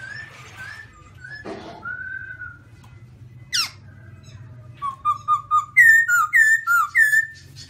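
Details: Song of the black-throated laughingthrush, white-cheek type: scattered soft whistles, then a lively run of short looping whistled notes repeated about twice a second, building in loudness.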